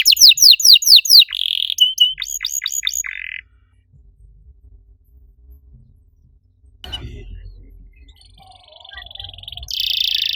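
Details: Canary master song aimed at coaxing silent canaries to sing. Quick descending sweeps and a short whistle open, followed by clipped notes. Later comes a quiet stretch with a soft thump, then a distant buzzy roll.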